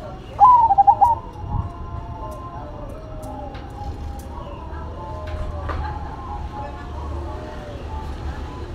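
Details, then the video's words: Two zebra doves (perkutut), a local bird versus a cemani, coo in duet: a loud quick burst of clipped bubbling coos, then softer overlapping trilled cooing over low hum. Zebra dove. "Duet Perkutut irama, Lokal Vs Cemani"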